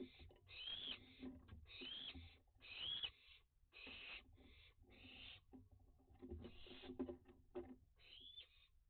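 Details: Young barn owls at dusk on 29 June 2021, during a heatwave and drought, flying about and using a bird bath. Harsh hissing screeches come in about eight bursts over nine seconds, with a low background rumble.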